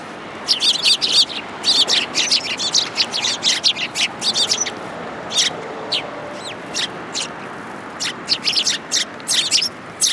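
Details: A flock of Eurasian tree sparrows coming to be fed at a shrine in January, chirping in scattered, irregular bursts with short quiet gaps between clusters of sharp notes.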